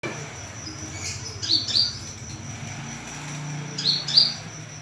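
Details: Olive-backed sunbird call used as a lure to draw a response: two pairs of high, thin, quickly rising chirps, each pair close together, over a soft low hum and faint background noise.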